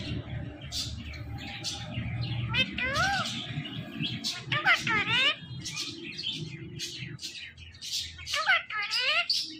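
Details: Pet talking parrot playing with its best friend: speech-like chatter mixed with rising and falling harmonic chirps and sharp high squeaks, over low background rumble and household noise.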